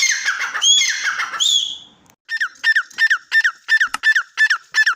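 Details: Dense rasping partridge calls for two seconds, a pause, then a steady train of separate clipped, buzzy notes repeated about three times per second.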